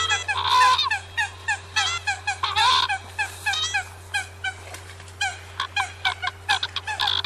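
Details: Eurasian coots chatter in a quick run of short, honking, down-slurred notes, some doubled, with louder harsh bursts in between and a low hum throughout.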